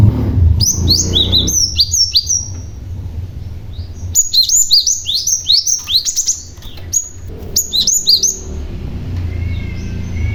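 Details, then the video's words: A male cinereous tit calls to lure other tits into answering. Dense runs of high, slurred chirps come in rapid sequences with a short pause between them. A faint rising whistle is audible near the end. "BURUNG GLATIK PAUD GACOR , Si Pemancing Bunyi Glatik Lain Yang Handal"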